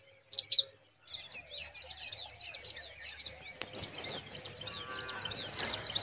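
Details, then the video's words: Pipit chicks in the nest give a loud squeaky pair of chirps, then softer high twitters. Rustling noise builds before a final sharp chirp. "Pipit bird babies looking beautiful in nest"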